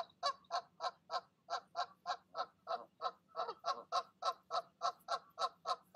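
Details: Mother goose talking her goslings down from the nest at dusk; brisk nasal honks repeated about three and a half times a second, steady and even throughout.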